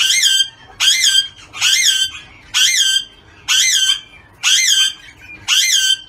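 An Australian ringneck gives seven loud, harsh, screeching squawks, each about half a second long and about one per second, in a small room.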